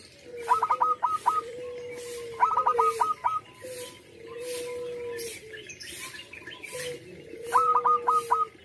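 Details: Zebra dove of a local type, a loud and vocal singer. It gives bursts of five or six clipped, staccato cooing notes, repeated three times. Long, low, steady whistled tones run underneath, with a hiss of background noise.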